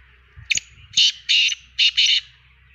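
A black francolin gives its harsh, grating call: a brief click followed by four loud, rasping notes over about two seconds, in a quiet room.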